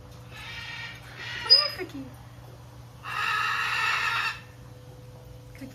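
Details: Cookie, a male pet cockatoo at a parrot rescue sanctuary, gives three harsh, raspy screeches, each about a second long, while teasing a bigger parrot and getting a little jealous. A steady hum and a person's voice are briefly heard.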